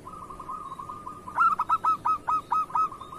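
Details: Kerot-style song of a local zebra dove, played to coax reluctant doves into singing: a steady low purring trill, then a quick run of about eight sharp, evenly spaced cooing notes.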